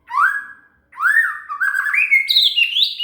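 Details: Shama (murai) song used to train a cililin: a brief upslurred whistle, then a fast flowing phrase of warbled whistles climbing steadily higher in pitch.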